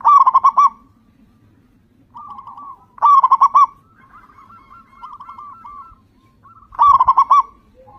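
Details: Zebra dove, local perkutut, played to coax other doves into song, giving loud rolling trilled coos repeated about every three seconds, with softer pulsed phrases in between.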